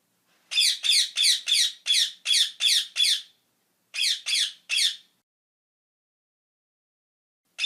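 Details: Rasping parrot squawks in quick bursts: eight harsh calls in a row, a short gap, three more, then a long silence ending with one final squawk.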